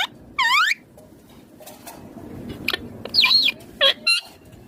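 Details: Ringneck green parrot kept at home, described as talking, gives one loud downslurred squawk, then after a quiet gap a cluster of short chirps and a wavering call.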